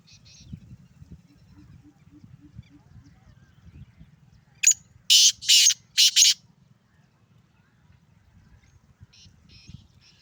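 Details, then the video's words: Male black francolin (kala teetar), Sindhi bird, calling: a quick harsh series of four grating, broadband notes over about a second and a half, set against quiet low rumbling background noise and faint distant chirps. "سندھی کالا تیتر ٹانگ کی بلائی ماشاءاللہ مست بلار"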